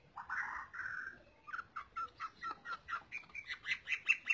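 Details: Green leafbird singing, used to train other cage birds: two drawn-out harsh middle-pitched notes, then a quick series of short chattering notes about four per second, rising higher toward the end.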